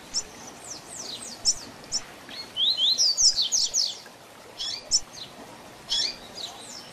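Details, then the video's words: Seedeater tutor song in the Tui Tui Zel Zel style, from a double-collared seedeater, meant for training birds: thin high slurs leading into a loud fast sequence of bright sweeping whistles, followed by spaced sharp chips. "Tui Tui Zel Zel Diferenciado Encarte seu Coleiro ou Papa capim"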